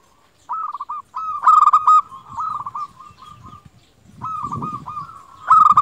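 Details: Local zebra dove delivering quick, level coo notes that swell into a bright trill, then a pause filled with low rumbling noise before the coos resume.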